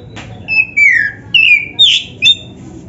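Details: Oriental magpie-robin (kacer, black-chested) singing four or five drawn-out whistles, several gliding down in pitch, one harsher and buzzier, over a low steady hum.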